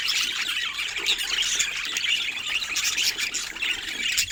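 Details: A busy group of budgerigars produces unbroken high-pitched twittering and scratchy squawks. The notes overlap closely, with no pauses and no other clear sounds.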